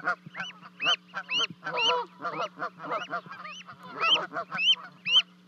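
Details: Canada geese with two goslings that have just leapt from a 30-foot osprey nest, Charlo, Montana, 12 May 2020. Quick rising whistled peeps, roughly two per second, overlap gruff honking notes.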